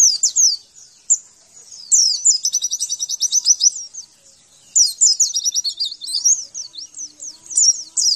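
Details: Javan white-eye song for coaxing caged birds into singing: bursts of thin high slurred notes separated by short pauses, each burst containing fast rattling trills of rapid repeated notes.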